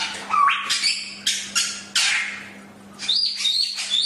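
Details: Chinese hwamei song for training: scattered sharp whistles and several loud, harsh, buzzy bursts with brief pauses, followed by high thin whistled notes; a steady low hum underneath.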